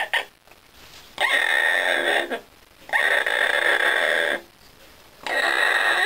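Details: Female pet parrot indoors, making her "Mmn" sound, meaning "yum", which she gives when she likes something, here apparently a shower drain. Three harsh, buzzy, drawn-out calls, each about a second long, separated by short quiet gaps.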